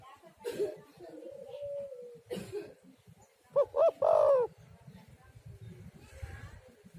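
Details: Spotted dove (tekukur), calling to lure other doves into song: a soft drawn-out coo early on, then two short looping notes and a longer falling coo, with quiet background noise and clicks.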